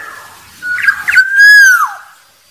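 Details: A wild Black-naped Oriole gives one rich, fluty whistled phrase that swells, then slurs downward at the end, heard alone in a quiet setting. It is used as a call to lure rivals.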